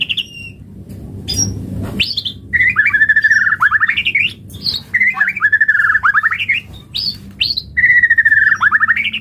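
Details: Song of a white-rumped shama played to make other birds respond and sing: bursts of quick, tumbling whistled notes and harsh chips separated by short pauses, with a faint low hum underneath.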